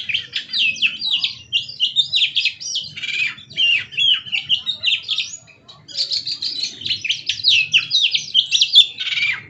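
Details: Oriental magpie-robin singing vigorously and continuously, said to be dancing: a lively stream of varied, sharp whistled and chattering phrases with quick rising and falling notes, pausing briefly midway before resuming, over a faint low hum.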